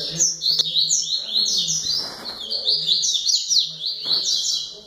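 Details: High, sweeping chirps from a double-collared seedeater pour out in a steady rapid chain, with a few sharp clicks and a brief rustle in the background.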